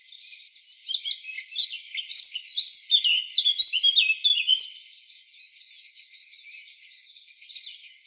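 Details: Free-living Eurasian blackcap pouring out a fast, varied warble of chattering and whistled notes, then trailing into a softer, steady buzzy series.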